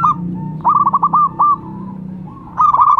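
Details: Local zebra dove, a lure and song prompter, gives a quavering row of short hooked coos. A loud rolling burst follows near the end, with a background hum.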